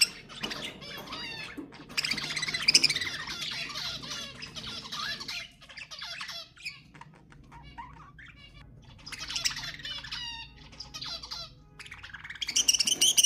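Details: Pet budgerigar song used to stimulate other budgies to sing: dense, harmonic chattering warble with squawks and squeaks, loud bursts at the start and end and a softer, sparser stretch in the middle.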